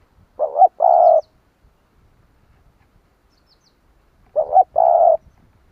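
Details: Coo of a spotted dove used to prompt other doves to call. Two identical phrases about four seconds apart, a quick two-part opening note leading into a longer, even, hollow coo, with near-silent gaps.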